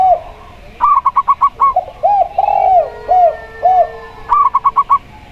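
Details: Local zebra dove with a 'plong' voice heard against a tekukur dove: fast rolling bursts of six staccato coos open and close the stretch, while deeper arched 'kuk' coos from the other dove fill the middle.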